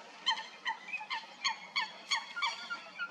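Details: Eurasian coots fighting at Stodmarsh, Kent, UK: short, loud, harmonic honking calls with a falling stress near the start, repeated about three times a second in uneven bursts.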